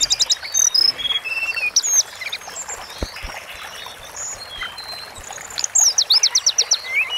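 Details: Masteran recording of Sunda forktail song: bursts of high, thin whistles and quick trills at the start and end, with a quieter stretch between them filled by a soft hiss like running water.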